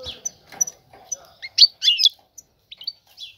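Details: A breeding-ready female European goldfinch twitters to draw a male; faint notes lead into a loud rapid cluster of high, sharp chirps, then a few softer scattered calls.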